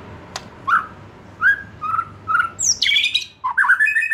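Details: White-rumped shama, a young wild-caught bird losing its juvenile spots, singing to lure birds into song: thin whistled notes with short pauses, then a rapid burst of high, squeaky, chattering phrases.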